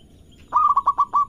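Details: Single phrase from a local zebra dove used to prompt other birds to sing: five quick throbbing coos running into a slightly longer final note, all at one low pitch.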